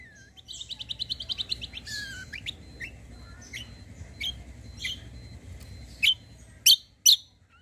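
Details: Kecial (white-eye) song used as a lure to make birds answer: a rapid run of high chirps, a sliding whistle, spaced thin notes, then three loud sharp chips near the end.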